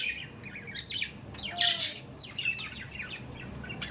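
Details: Budgerigars kept as pets give a busy stream of short, bright chirps and warbled notes, with a louder cluster of squawky calls around the middle.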